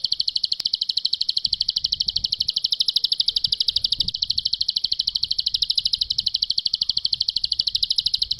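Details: Ngebren-style song of a ciblek pari, bar-winged prinia, from a master recording for tutoring. A long continuous rattle of bright high chips, roughly ten each second, holds even in pitch with no pause, one faint click early on.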